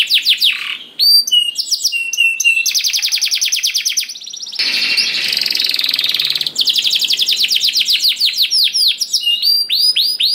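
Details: Canary song meant to draw other canaries into singing: varied whistled notes and long fast trills, with a stretch of rough noisy rattling midway before sweeping phrases resume.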